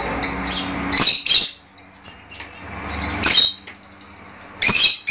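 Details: Fischer's lovebirds, whose song is meant to encourage mating, giving loud shrill screeches in short bursts about every second or two, separated by softer thin high chirps and quiet pauses.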